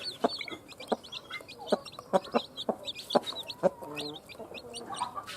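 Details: Newly hatched chicken chicks just out of eggs laid by a hen, peeping in a busy chorus of short, high, quickly repeated chirps, some rising and some falling, with scattered sharp clicks and knocks in the background.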